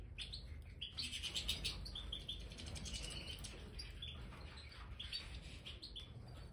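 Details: Several captive Major European goldfinches in an aviary newly strewn with bird sand give short high tinkling chirps in loose bursts over a steady rustling, scratching background.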